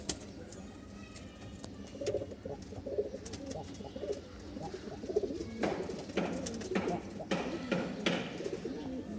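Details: Domestic pigeons in pairs at a pigeon market in Mirpur, including Bashiraj birds, give soft, low, rolling coos in repeated bursts, with sharp clatters and knocks nearby.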